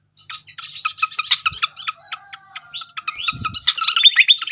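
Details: Lure song of the srikatan kipas (fantail) for prompting singing: fast run of high staccato chirps that slows into spaced ticks, then a lively burst of twittering and rising whistles; a brief low thump is heard.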